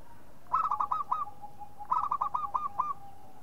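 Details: Local zebra dove calling in two similar bursts about one and a half seconds apart. Each burst holds six to seven short, hooked, slightly husky cooing notes that slow toward the end.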